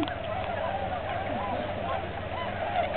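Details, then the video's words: A migrating flock of tundra swans resting at Aylmer Wildlife Management Area in mid-March 2009, many birds overlapping in a steady babble of soft, hooting honks with short rising and falling notes. "Tundra Swans"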